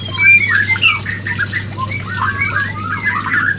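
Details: A white-rumped shama gives its mating call, used to get a female into breeding condition: harsh squawky notes mixed with looping, warbled whistles in quick succession over a low electrical hum.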